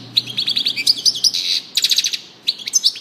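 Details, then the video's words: European goldfinch song: quick tinkling high twitters and short downslurred notes, with a dense buzzy burst near the middle and more twittering bursts after brief pauses. "chardonneret song saka kuşu sesi"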